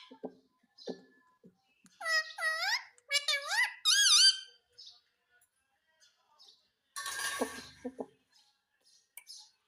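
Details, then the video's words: Pet parrot indoors imitating the word "mummy" (mami): a few bright, squeaky, bending syllables in the middle, surrounded by quiet human voice sounds and a short noisy rustle near the end. "Talking parrot - mummy bolne wala tota"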